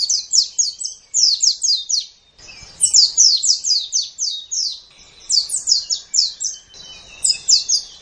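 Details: Japanese white-eye in steady song, used to tutor songbirds: repeated bursts of four to six sharp, high, downward-sweeping whistles in rapid succession, with brief pauses between bursts and quiet background.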